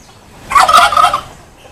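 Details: Courting turkey gives a loud, rapid rattling gobble, a dense burst of about three-quarters of a second that swells quickly and fades, set against an otherwise quiet background.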